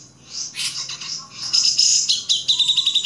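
Grey-cheeked bulbul giving a busy run of high chattering notes, with a few thin whistled phrases and rapid repeated chips toward the end.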